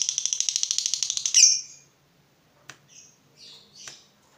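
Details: Lovebird fighter riled up on seeing an opponent: a quick burst of rapid shrill chatter ending in a harsh squawk, then a few scattered short squeaks after a pause.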